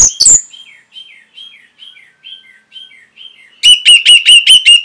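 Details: Orange-headed thrush in a training recording for caged birds. A loud harsh note opens, then a run of soft, falling whistled phrases. It ends in a fast burst of six loud, sharp, repeated notes.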